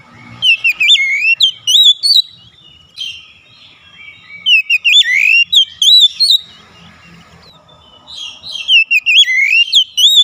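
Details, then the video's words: Lure song of the oriental magpie-robin for a bird slow to sing, with three bursts of rapid high warbling whistles and sharp rising notes, separated by quieter gaps. "tera memancing Kacer bahan susah bunyi langsung gacor"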